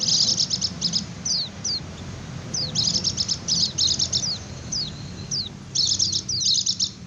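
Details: 'Ngecir' song of a white-eye, played to lure wild birds and get sluggish ones singing: quick clusters of very high twittering notes, broken by single thin downslurred whistles, with a faint low rumble behind.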